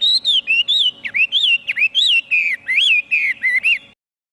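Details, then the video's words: Chinese hwamei singing loudly: a rapid run of clear, rich whistled phrases that swoop up and down, each note slurred and bouncy, about a dozen phrases in four seconds, ending abruptly in silence. "Chim hoa mi hot cuc dinh - Extreme nightingale sings"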